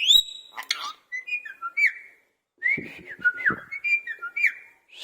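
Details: Parrot in a cage copying a cat's voice: a quick run of whistled slides and short clicks and squawks, then a second burst of rising and falling whistles and harsh notes.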